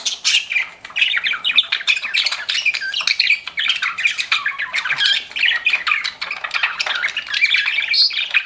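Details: Pet budgies chirping in a constant, lively chorus of rapid squeaky and buzzy notes, overlapping warbles running without a break.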